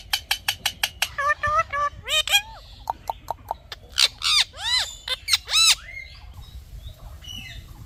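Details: Pet Indian ringneck parakeet talking: a fast run of sharp clicking notes, then loud harmonic squawked syllables that bend up and down like mimicked words, several arched phrases in quick bursts, fading toward the end.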